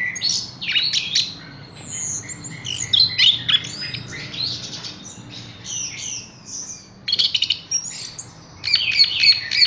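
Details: Caged Horsfield's bush lark singing right after being hung up, giving varied bursts of high chirps, trills and slurred whistles in irregular phrases, with short pauses between outbursts.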